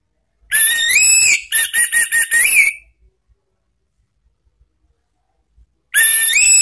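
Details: Orange-headed thrush lure song for cage-bird training, ngeplong and ngeriwik style: a long rising whistle, then a quick run of choppy repeated notes, silence, and another rising whistle.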